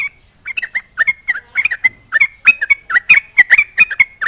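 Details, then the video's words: Sooty-headed bulbul singing to mock an opponent and draw replies from other bulbuls; after a brief pause, a fast run of short, rising and falling whistled notes, about two per second, with sharp attacks. "SUARA TRUCUKAN GACOR MENGEJEK LAWAN RAJANYA BIKIN NYAUT TRUCUK LAIN"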